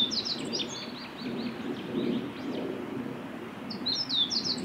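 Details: Song of a male Meadow Bunting on a forest road at Miyagase Lake, 6 May 2016: high chirpy phrases open and close the passage, with a low rumbling background noise throughout.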